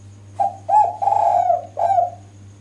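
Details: Female spotted dove calling to draw males: a phrase of four mellow, hollow coos, a short first note, then a longer one and a long drawn middle coo before a final note, over a steady low hum.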